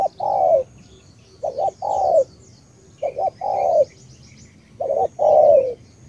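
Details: Spotted dove from Cà Mau, Vietnam, repeating its tú-style phrase three times: a low coo, a quick double note, then a long falling coo, with gaps between phrases. Distant birds twitter throughout.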